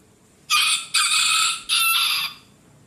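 A rooster crows once, a loud, hoarse cock-a-doodle-doo in three quick rasping parts lasting about two seconds, with a quiet background.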